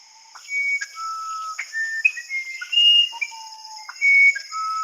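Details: Musician wren (uirapuru), a species that avoids the Amazon basin, singing pure, flute-like whistled notes that jump between low and high pitches in a halting melody, over a steady high insect drone.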